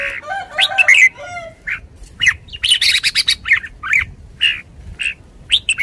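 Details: Red-whiskered bulbul delivering a run of short, sharp whistled notes and chirps, opening with a squawky harmonic phrase, then quick repeated bright syllables at an excited pace.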